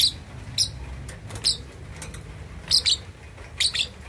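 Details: Young lovebird aged two and a half months learning to chatter, used to provoke rivals; short scattered high squeaky chirps, some in quick pairs, at irregular intervals over low background noise.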